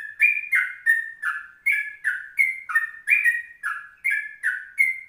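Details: Morning song of a yellow-vented bulbul, recorded at 04:30 and used as a lure for other birds: a steady stream of liquid, bubbling notes, each slurred up and down, about three per second.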